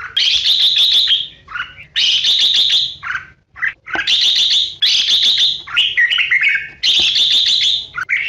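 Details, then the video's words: Red-whiskered bulbul competitive song in the 'hót ché' style, played to lure birds into traps and to spur singing. Loud, rich warbled bursts about a second long repeat every second or two, mixed with sharp chirps. "Chào mào Luyện giọng | Hót Ché - Xòe hay Đỉnh cao từ trước tới nay , Bẫy đấu Chim Chào mào"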